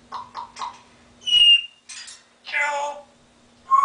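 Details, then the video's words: Pet African grey parrot laughing and quacking like a duck: three quick laugh-like notes, a bright whistle, then a harsh nasal duck-like quack, over a faint steady electrical hum. "My African Grey Laughing and Quacking Like a Duck"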